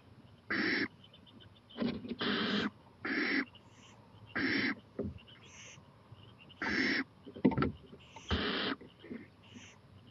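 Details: Night-time owl on a porch, 11:26 pm, 23 April 2018; short breathy hissing shrieks roughly every second or two, separated by quiet gaps, with a soft thud midway.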